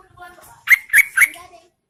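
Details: Female Yellow-vented Bulbul lure call, meant to entice males to answer during the rainy season: three bright, bubbly chirps in quick succession, with faint tonal whistles underneath.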